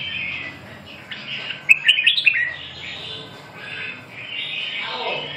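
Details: Red-whiskered bulbul song: a quick burst of bright, chirpy, slurred notes in the middle, with softer warbling before and after it and a low hum underneath.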